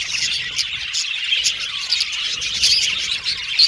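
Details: Australian budgerigars chirping contentedly, a flowing mass of high twitters and short rising whistles, with a couple of sharper squeaks near the end.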